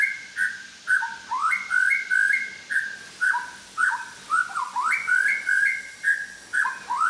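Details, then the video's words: Medan white-rumped shama running through its imitated repertoire: a continuous stream of clear, mid-pitched whistled notes in quick varied phrases, many swooping upward, against a steady hiss. "BURUNG MURAI BATU MEDAN BONGKAR ISIAN"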